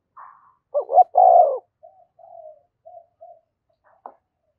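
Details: Spotted dove calling to provoke other doves: one loud hooked double coo ending in a long rolling note, followed by a string of soft short notes and a faint click.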